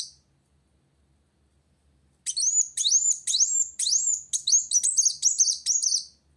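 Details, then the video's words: After about two seconds of quiet, a sunbird bursts into high, rapid song challenging a rival, with sharp upswept whistled notes tumbling faster toward the end. "Kolibri Wulung Gacor Cari Lawan"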